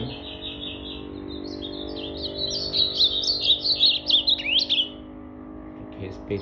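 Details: Blue-black grosbeak singing on 8 September 2020 while a man talks; a long rising, rapidly pulsed warble of high notes ending in a sharp upward slur, over low murmuring speech and hum.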